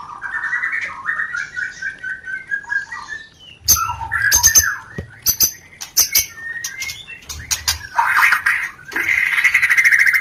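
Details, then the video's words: White-rumped shama rencetan call meant to stimulate mating: a quick run of chattering notes sliding downward, then sharp clicks and knocks with brief whistles, ending in dense rasping chatter. "pancingan Suara Rencetan Ini Ampuh Membakar Birahi Murai"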